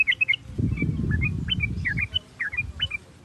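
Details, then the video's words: Sooty-headed bulbul singing as a lure to get another bulbul singing: short, liquid whistled phrases of two or three notes repeated over a low rumbling background. "Pancingan Trucuk Baik agar trucuk Bunyi cepat gacor merangsang suara trucuk ini"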